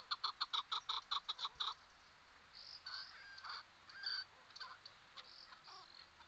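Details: A Chukar gives conversational calls: a quick run of about eleven harsh, clucking chuk notes, then softer, scattered squeaky and chattering calls in a quiet background.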